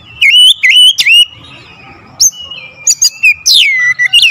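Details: Clear, punchy lure song from an oriental magpie-robin. It opens with looping whistled notes and sharp ticks, then a lull, then scattered high clicks. It ends with a bright whistle sweeping down from high to middle pitch.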